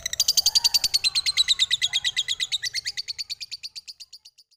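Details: Lovebird chattering in a quick rhythmic string of high, buzzy chirps that starts loud and slowly fades and slows toward the end.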